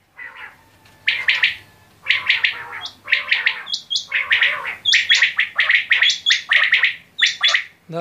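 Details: Quail calling in quick harsh chirps and short bursts, about seventy a minute and irregular, with some brief higher tonal notes mixed in.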